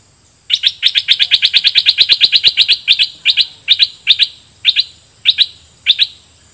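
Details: Caged red-whiskered bulbul acting as a decoy toward wild birds, in a double-phrase song style: a fast run of about twenty sharp chirped notes, then paired whistled notes repeated roughly every half second.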